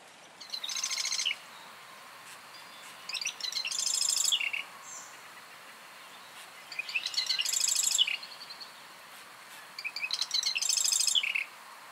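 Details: Marsh wren of North American wetlands singing: four separate bursts of dry, buzzy, rattling chatter, each about a second long and coming every three seconds or so, with quiet gaps between and no other clear sounds.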